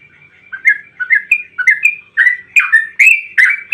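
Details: Trucukan (yellow-vented bulbul) sings a long 'ropel' phrase meant to provoke others into song. After a quiet start, mellow whistled notes climb in steps, then grow louder and more rolling.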